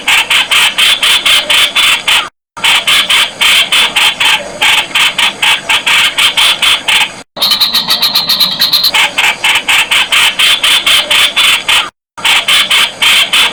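A Streak-eared Bulbul gives fast, sharp, chipping notes several times a second, with brief breaks and a higher, buzzier burst midway.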